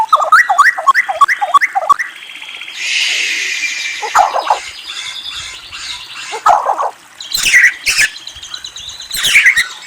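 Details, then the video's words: White-rumped shama (murai) singing: a run of quick descending whistled notes repeated about twice per second, then a burst of harsh broadband rasping, followed by scattered sharp whistles and clicks. "Murai Bird Whistles and Trills"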